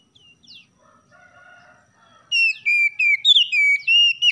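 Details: Oriental magpie-robin (kacer), a champion bird, singing in the morning, used as a tutor recording to stir lazy caged birds to sing: soft, faint warbled notes, then loud, clear whistled phrases that slide between high and mid pitch in quick repeated bursts.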